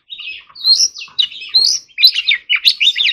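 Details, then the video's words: Oriental magpie-robin singing a forest-voice training phrase, a fast run of warbled, slightly buzzy whistles in short clustered bursts. "choè than hót giọng rừng"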